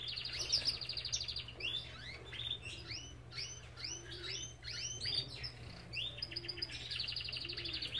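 Belgian canary in full song: fast buzzy trills and rolling phrases alternating with quick rising and falling slurred notes, high and bright. A steady low hum runs underneath.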